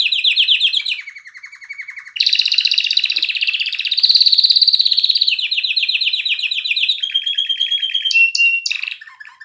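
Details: Singing "mast" canary: a bright fast trill drops to a lower steady rattle, then long rolling tours of rapid pulsed notes drift gradually lower, ending in a few sharp chips and a final lower phrase.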